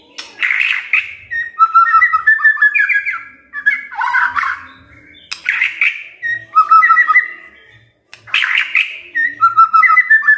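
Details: Magpie-robin song played to stimulate a quiet bird to sing: varied loud whistled phrases around mid pitch, with harsh bursts and sliding notes, in bouts separated by short pauses.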